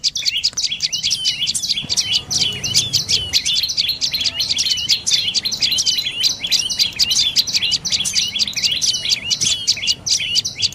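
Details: A dark-necked tailorbird, a bird of forest edges, bamboo and fruit orchards, keeps up a long, dense, rattling series of high twittering chirps for over ten seconds, barely pausing, over soft background rumble.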